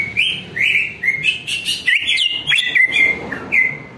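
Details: Greater green leafbird song used as a lure to prompt other leafbirds to answer and sing. Loud, continuous run of varied whistled phrases with bright slurred notes, some rising and some falling, and almost no gaps.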